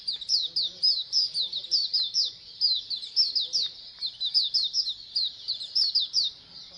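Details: Pleci koloni, the massed song of many Oriental white-eyes used to make birds sing more often. A steady stream of shrill, quick, down-slurred chirps runs almost unbroken throughout.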